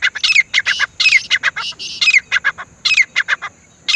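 Grey francolin giving loud, harsh, rapidly repeated notes mixed with sharp rising whistled squeals, in bursts several times a second; nothing else is clearly heard.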